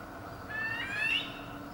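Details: Barbary partridge giving a mating call in May 2020: a squeaky, rising note that climbs in short steps and peaks near its end, over a steady low background hum.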